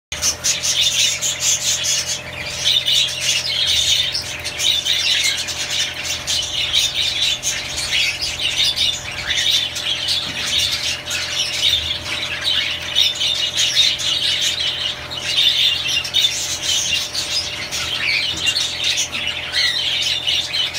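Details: Several budgerigars eating millet chatter nonstop in a dense jumble of high, scratchy chirps and warbles.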